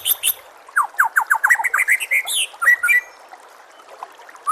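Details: Oriental magpie-robin song used as tutor material for caged birds: a fast run of about ten descending slurred notes, then rising whistles and a few scratchy high notes before a pause.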